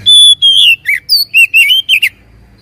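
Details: Oriental magpie-robin song played as a lure to make a quiet bird answer: a long steady whistle followed by a string of short, sweet, slurred whistled notes that dip and rise.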